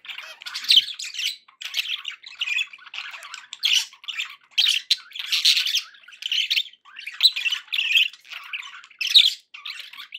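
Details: Pet budgerigars indoors, offered as company to encourage a parrot to eat and sing: continuous chattering warble of raspy squawks and chirps in dense bursts, with brief gaps between phrases.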